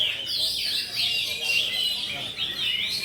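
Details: Oriental magpie-robin singing at a bird-song contest in Pulau Betung, Jambi, on Sunday 19 November 2023, where it placed runner-up. The singing is continuous and high, with fast, varied whistled and warbled phrases. Other birds overlap, with faint crowd noise.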